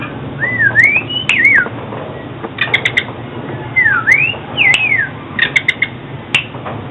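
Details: Oriental magpie-robin song used for trapping and voice training: clear looping whistles that swoop down and up, interspersed with sharp clicky ticks, over a steady hiss.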